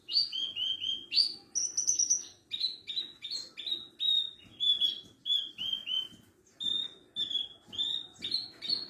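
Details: Parva-type Javan bush lark song meant as a master recording for young or silent larks: a rapid series of clipped, whistled notes, mostly descending slurs repeated in quick succession with brief pauses, steady and continuous.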